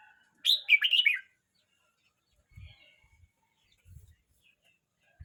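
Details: Young red-whiskered bulbul, 12 months 29 days old, gives a single rich, warbling song phrase of quick slurred notes lasting under a second, followed by quiet and a few soft low thumps.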